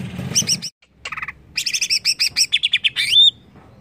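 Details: Greater green leafbird agitated by a lure: bright bursts of rapid, repeated whistled and chattering notes, a short buzzy phrase, then a quick series of rising chirps ending in a thin whistle.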